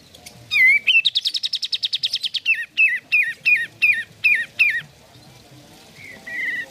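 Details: Sooty-headed bulbul song used to stimulate caged birds to sing: a quick whistled note, then a fast buzzy trill for about two seconds, followed by a series of loud downslurred whistles repeated roughly every half second.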